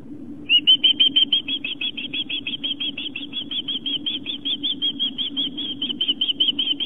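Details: Long Island osprey calling at its nest while fish is brought in, September 2007, late afternoon. After a brief quiet start comes a long run of rapid high whistled chirps, roughly three a second, slightly uneven, above a constant low background hum.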